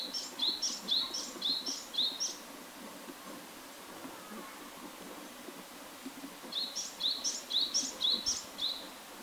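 Japanese tit singing two bursts of quick, high two-note phrases, five or six in each run, over a soft low background hum.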